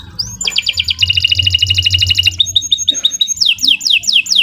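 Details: Canary (kenari) singing for a master recording used to train and spur silent birds: a rising whistle, then a rapid two-pitched rattling trill, a short pause and a run of bright down-slurred whistles.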